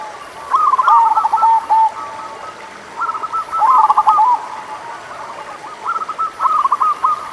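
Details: Local zebra dove (perkutut lokal) singing, a recording meant to rouse doves that are slow to sing: bubbling trilled coo phrases repeated about every three seconds, quieter coos between, faint high whine.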